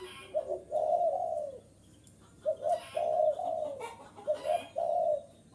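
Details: Spotted dove cooing to draw in wild birds: three phrases, each two quick soft coos then a long mellow coo tailing down, separated by a quiet pause.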